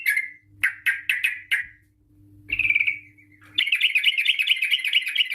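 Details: Sooty-headed bulbul pouring out its long rapid lure song: a handful of quick separate chirps, a short descending trill, then a sustained buzzy warbling rattle to the end.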